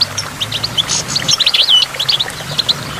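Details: Short goldfinch phrase recorded near a waterfall: scattered high chirps lead into a fluid, slurred twitter with one clear downward-curving whistled note, then quieter chips trailing off.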